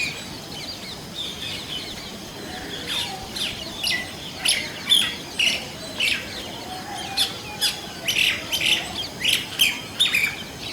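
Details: Indian common myna calling in varied voices in a natural setting: a run of short, harsh, chirping and squawking notes in quick bursts, growing louder and busier after the first few seconds.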